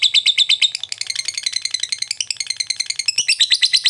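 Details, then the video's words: Lovebird in ngekek fighter style, played so quiet lovebirds answer: a fast, rattling chatter of shrill notes, speeding into a tight trill, with one brief click near the end. "Lovebird ngetik ngekek fighter,bagus memancing Lovebird diam jadi nyaut"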